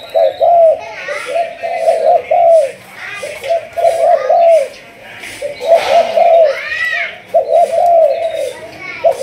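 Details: Malaysian spotted dove of a 'thúc gù' line, being trained as a decoy: repeated coo phrases of three or four notes each, with faint higher chirps and voice-like sounds in between.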